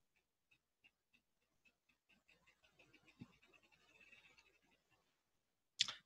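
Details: Ruffed Grouse drumming, a non-vocal mating display made by wingbeats through the air: muffled thumps start slow, about one every half second, then speed into a blurred roll and fade, ending with a sharp knock.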